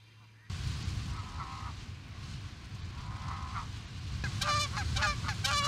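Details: Osprey at Charlo, Montana, USA, giving loud, harsh, rapidly repeated whistled chirps near the end, preceded by two brief higher tones and rumbling wind-like noise throughout.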